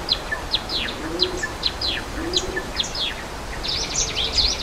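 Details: Java sparrow calling in the wild beside a waterfall: scattered sharp, high, downward-slurred chips from several birds, with a steady rush of falling water underneath and a few low soft notes.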